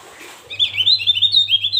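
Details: Javan grey-throated white-eye singing hard: an unbroken stream of rapid, high, slurred twittering notes, with a steady low electrical hum underneath.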